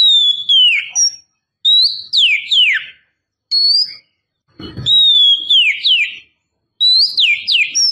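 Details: A female Oriental magpie-robin lures the male with repeated phrases of high whistles, each a level note falling into steep downward swoops. The phrases come roughly every one to one and a half seconds, with one brief low thump.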